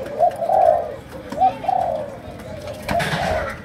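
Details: Malaysian spotted dove performing chiêu gù, sấm đồng song: short introductory coos followed by a longer purring note, repeated twice, over faint background noise and a thump near the end.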